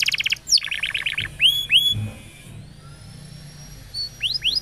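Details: Canary training song for young pet canaries that have stopped singing: a rapid buzzy trill, then a string of quick rising notes, upward-sweeping whistles and a long high thin tone, with a faint low hum beneath.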